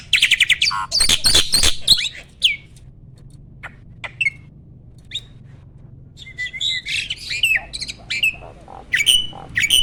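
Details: Asian pied starling, a mature caged male at his breeding peak, singing in bursts: loud rasping chatter, scattered clicks and sharp notes, then several slurred, falling whistles.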